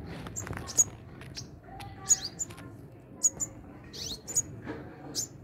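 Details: High, sharp ticking chirps with a few downslurred notes, spaced irregularly, from sunbirds tending their babies at a hanging nest, with faint low background noise.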